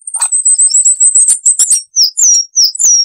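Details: Coal tit, in a cage-bird training recording, opens with a thin, high, rapid twittering run, then shifts to louder, separate, downward-sliding whistled notes repeated about twice a second.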